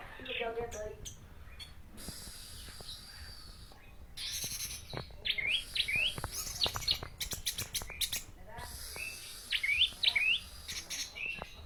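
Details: Orange-headed thrush in a 'teler' style song: short whistled, rising and falling phrases in bursts, among clicks and a noisy background.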